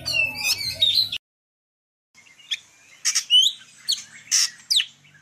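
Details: Golden-fronted leafbird song from Vietnam, used for luring birds to traps: a rich, tumbling phrase of mixed whistles, then after a short silence a series of high sweeping chirps and buzzy squeaks.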